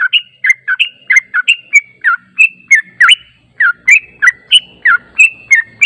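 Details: Lure song of a yellow-vented bulbul, used to draw responses from other birds: a continuous stream of liquid, warbled notes, each swooping up or down, about three per second with hardly any break.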